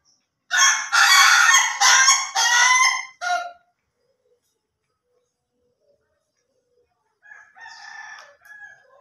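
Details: Ayam Ketawa chicken crowing in a quick run of five harsh, cackling bursts over about three seconds. After a silence, a fainter, shorter cackle follows near the end.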